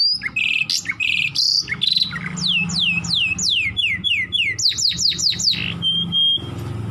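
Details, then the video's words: Caged canary singing loud, varied phrases: buzzy trills, then a run of falling whistled sweeps, a series of quick downward notes, rapid sharp repeated strokes and a final steady whistle, over a faint low hum. "Καναρίνι με απίστευτες φωνές!!! (Canary Singing)"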